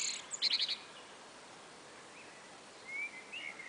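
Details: One of two common blackbirds chatting on a spring afternoon gives a quick burst of about five high, sharp notes, followed later by a few faint, thin whistles over a quiet outdoor hush.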